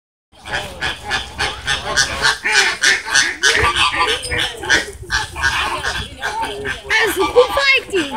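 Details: Captive flamingos fighting at the Vancouver Zoo: a dense chorus of harsh, nasal honks repeated rapidly and overlapping, several birds calling at once, with some human voices mixed in.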